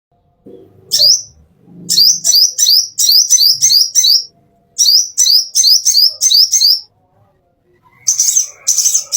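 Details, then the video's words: Plain-throated sunbird master song for training caged birds: bursts of sharp, very high chirps with rising sweeps, repeated in quick runs of about six notes, separated by short pauses. "masteran konin isian mewah"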